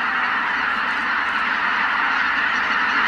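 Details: A mass of greater white-fronted geese lifts off a marsh together at dawn. Countless cackling honks overlap into a continuous, even wall of goose voices with no gaps.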